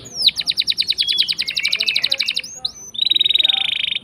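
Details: Canary delivering a long rolling song to stir silent canaries into singing: a rapid pulsed trill with falling tones, a short whistled slur, then a dense buzzy roll.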